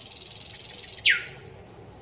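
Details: Brief thrush nightingale phrase, 25 May 2021: the end of a high pulsing rattle, a loud sweeping downslurred note, then a short high whistle.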